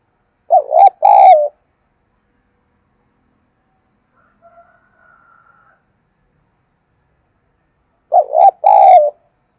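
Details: Spotted dove cooing to stimulate wild doves to respond: two low, hoarse double-pulsed coos, one at the start and one near the end, separated by a long quiet gap with a faint thin tone in between.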